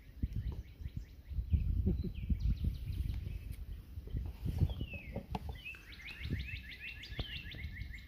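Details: One of two competing Northern Cardinals on a cool April morning gives repeated short slurred notes, then a fast rising series near the end, over loud low rumbling and knocking noises.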